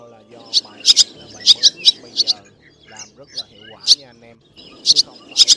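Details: Black, white-bellied swallow flock call, male and female, used as a lure for net and lime-stick trapping in the August 2024 bird season: clusters of sharp, high chirps in quick pairs and triplets, separated by short gaps over a low murmuring background.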